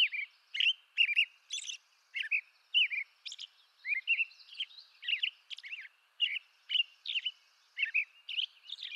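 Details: American robin in eastern North America caroling steadily, a rhythmic stream of bright whistled syllables and thin shrill notes, each phrase short and evenly paced, against quiet background.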